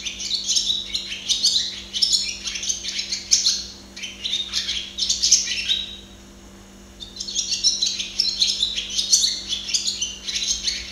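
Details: Barn swallow (Hirundo rustica) singing, observed close up: a fast, chattering twitter of high squeaky notes in bursts of two to three seconds, with a short pause in the middle.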